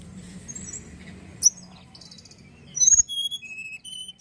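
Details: Song of a young tledekan used to stir other birds into singing: after a soft low murmur and a single sharp chirp, a quick string of high, clear whistled notes follows.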